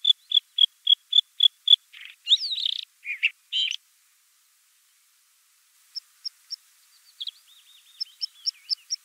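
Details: Song of a Bluethroat: a quick string of identical high ticks, then scratchy, buzzy phrases; after a pause, thin repeated pips and a warbling run of fluttering notes.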